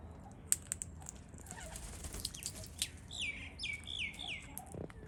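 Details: Wild Australian king parrot, one of feeding pairs seen up close, gives a quick run of five sharp, down-slurred squeaky notes after a few scattered clicks over low background rumble.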